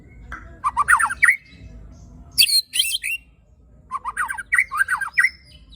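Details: White-rumped shama (murai batu) song with tembakan and besetan and coarse fill: fast choppy bursts of mixed whistles, a sharp high scratchy phrase, then another busy run of varied notes.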